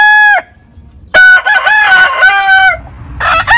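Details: Rooster crowing from a compilation of heritage chicken breeds. A crow ends abruptly, a pause follows, and then a loud, wavering crow with harmonic swoops runs for about one and a half seconds. Another crow starts at the end.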